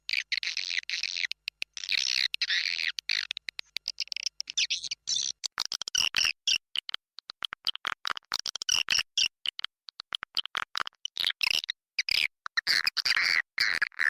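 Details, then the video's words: Swiftlet lure call for attracting birds to nesting houses, in a full version. Dense, rapid high chirps and twitters come in choppy bursts with abrupt gaps, overlapping into a continuous chattering chorus. "SUARA PANGGIL WALET"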